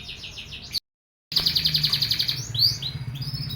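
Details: Canary basking in morning sun between 8 and 10 o'clock delivers a rapid rolling trill of high pulses, about three or four per second, then a brighter warbled phrase, over a low background hum.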